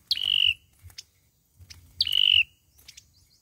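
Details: Fighting song of the olive-backed sunbird, played as a trap lure: two sharp flicked notes that drop into a held, slightly buzzy whistle, about two seconds apart, with soft clicks between.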